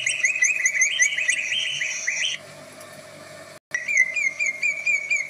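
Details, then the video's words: Varied song of the greater green leafbird, credited with many voices that set other birds off: a fast warbled chatter, a short near-silent gap, then resumed bright repeated chirping notes. "burung cucak ijo bisa bersuara banyak, Bikin terpacing burung lain"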